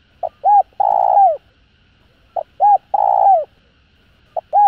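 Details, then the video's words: Spotted dove calling to stimulate other doves: two full phrases roughly two seconds apart, each with a short coo, a clear arched note and a long, husky, down-sliding coo, then the start of a third phrase. "Tiếng Cu Gáy GỌI +THÚC Kích Bổi Nhanh Nổi. Cu Gáy.Cu Đất Gáy hay"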